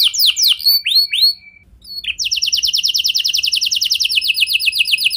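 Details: Canary song used as a lure recording to prompt other canaries to sing: opening bright descending whistled sweeps, a short pause, then a fast, steady, high trill of repeated notes lasting about three seconds.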